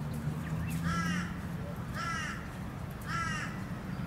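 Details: Plumed whistling duck on the Sunshine Coast, Queensland, in May; three thin, wavering whistled calls about a second apart over steady low traffic-like rumble.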